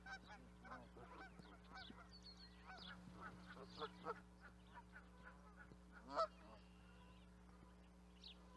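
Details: Canada geese calling as a group, many soft overlapping honks in the first half fading to sparse calls, one prominent loud honk standing out, steady mechanical hum in the background.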